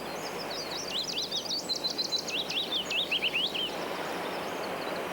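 Willow warbler song: a sweet, liquid phrase of quick notes that slide gently down the scale over about three seconds, over a steady background hiss.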